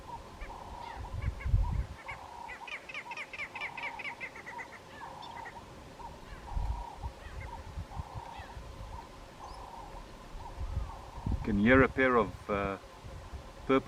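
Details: On a cool morning safari drive, a pair of purple rollers give harsh, rasping calls with loud grating bursts near the end, over a steady hum, low rumbling and a man talking.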